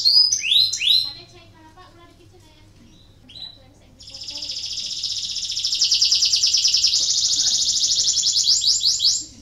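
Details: Canary song meant to spur lazy canaries into singing: a few loud curving whistled notes at the start, a quiet pause, then a long, even, buzzy high trill that swells and holds to the end.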